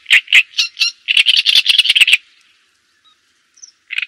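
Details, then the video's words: Java sparrow song used as a lure and tutor recording for other birds: rapid run of bell-like clicking notes and chattering trills, a short pause, then a single final chip. "Suara Ocehan Burung GELATIK JAWA Untuk Pancingan Dan Masteran"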